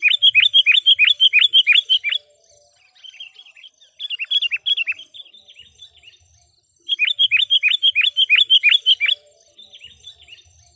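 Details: Decoy sooty-headed bulbul in full lively song to lure wild birds, delivering fast runs of chirpy, bubbly whistled notes lasting about two seconds, repeated after pauses, with softer scattered notes in between.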